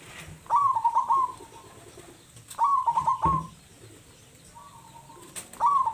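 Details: A local zebra dove, noted as loud-voiced and a keen singer, gives three stuttering, trilled coo phrases at a steady mid pitch. Each phrase lasts about a second and comes roughly every two and a half seconds over a faint background hiss.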